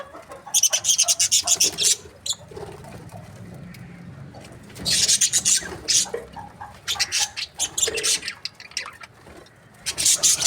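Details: Breeding budgerigar pairs chatter in loud rapid bursts of harsh, high twitters separated by quieter stretches of soft warbling and rustling.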